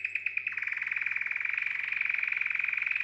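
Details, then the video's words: Canary singing to stimulate females for mating: a few separate clipped notes open the phrase, then merge into a rapid, steady rolling trill that carries on evenly to the end over a faint low hum. "Chant canari pour accouplement"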